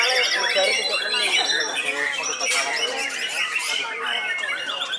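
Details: Old white-rumped shama kept in a cage and still singing strongly: layered, varied song of looping whistles and rough chatter, steady in loudness throughout.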